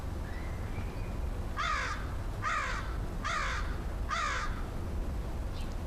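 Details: An American Crow calls on 10/5/2013 before flying over, while lunch is put out for it. It gives four harsh, downward-sloping caws, evenly spaced about 0.8 seconds apart, over a steady low rumble.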